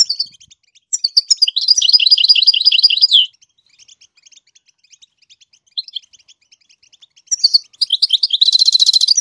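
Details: A goldfinch sings to teach its chicks: a fast, rolling, jingling trill of high notes, a quiet stretch of soft chirps, then twittering notes leading into a dense buzzy trill.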